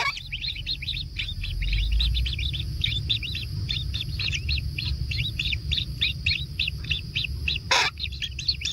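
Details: Nestling kingfishers being fed at a natural nest, producing rapid high-pitched chirps about four per second in a dense, uneven stream, with one sharp knock late on and a constant low hum beneath.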